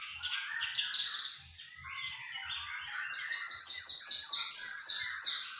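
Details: Young Javan bush lark gives a high song, starting with varied chirps and a thin sustained whistle, then a fast run of bright repeated notes about three per second; offered as mastering material.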